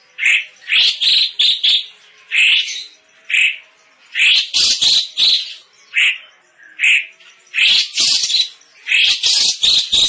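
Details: Cucak cungkok song used as a vocal tutor for competition birds, described as loud and dense: bursts of rapid, harsh chattering notes delivered in tight clusters, separated by short pauses, with no other clear sounds.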